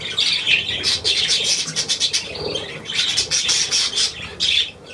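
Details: Budgerigars recorded on 9 February 2024, giving continuous dense chattering: scratchy, buzzy notes and short squawks overlapping almost without pause, with brief louder bursts through the stretch.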